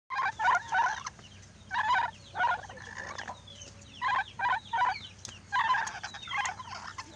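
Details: Lory talking, with short harmonic syllable-like bursts grouped in twos and threes, separated by quiet gaps, over a low steady hum.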